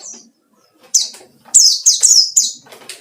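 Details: White-eye in ngalas style, used as a lure to provoke rivals: a thin high note, then a quick run of bright, descending, slurred chirps packed closely together near the end.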